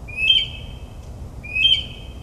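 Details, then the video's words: Mockingbird singing at midnight in suburban New Jersey: two matching bright whistled phrases, each starting with a short rising note and trailing off, about one and a half seconds apart. "Moonlit Melodies - Mockingbird's Nocturnal Performance in NJ"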